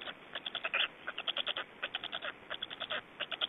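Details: Black storks in Estonia during feeding, 25 May 2012 around 17:03: rapid series of short, harsh, clicking notes, the bursts coming in quick irregular runs with brief pauses.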